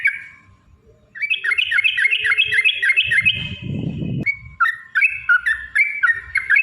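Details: Long 'ropel panjang' fighting song of a Yellow-vented bulbul, played as a lure to make bulbuls sing: one opening note, then a dense rippling run of high chirps over a brief low rustling noise, followed by separate bubbly phrases.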